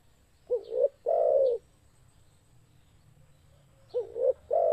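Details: Spotted dove, used as a lure for trapping, giving two low cooing phrases, each a short rising note followed by a longer, steady, hollow coo, separated by a pause of about three seconds. The background is quiet.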